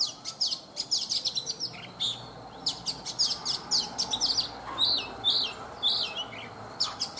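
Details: Oriental magpie-robin, a mature wild-caught bird caged for three seasons, in vigorous morning song: fast repeated high chirps and whistled notes, roughly two per second, in long bright rhythmic runs.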